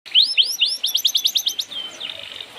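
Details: A white-rumped shama's lure song: a quick string of bright upward-sweeping whistled notes, speeding into a fast regular series before fading.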